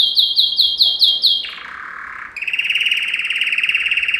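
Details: Male yellow canary (Serinus canaria) in a training song, opening with quick repeated high downslurred notes, dropping to a low buzzy roll, then a long even rattling trill.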